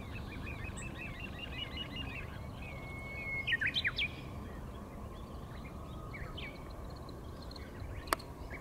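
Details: Migrant little ringed plovers chase one another on a river sandbar on March 31, 2023, perhaps in courtship, giving short, high, down-slurred piping notes, loudest in a brief flurry midway, over a steady rushing background.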